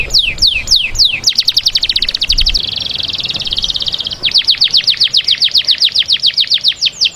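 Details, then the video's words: Canary singing to prepare hen canaries for breeding, a rapid series of descending whistled sweeps, then a dense buzzy trill for about two seconds, followed again by quick repeated sweeping notes. "Canto canario para la preparación de las hembras"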